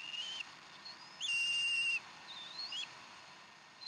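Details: Decorah bald eagles calling at their nest during a fresh duck dinner, 15 April 2012, about 6:00 nest time. Short piping whistles, then a long, level, steady whistled note, then a softer rising chirp, over faint hiss.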